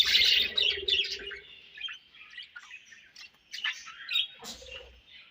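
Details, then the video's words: Budgerigar colony chirping: a loud opening flurry of squawky chatter, then softer, thinner warbling with occasional sharp chirps. "Budgies Colony Chirping Sounds"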